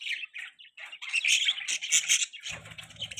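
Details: Young pet budgie sitting on its owner's hand chirps steadily: dense, bright, buzzy twitters running almost without a break, then a low thump of movement near the end.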